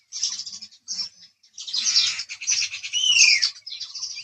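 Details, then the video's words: Harsh, high chirps from a house sparrow fill the recording, with a short pause near one second. Near the end a clear descending whistled note stands out above the chatter. "house Sparrow Chirping Sound"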